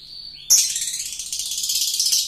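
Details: Lovebird long laughing song as a lure: a thin steady whistle breaks into a continuous fast buzzy chatter of high pulses, sustained for nearly two seconds.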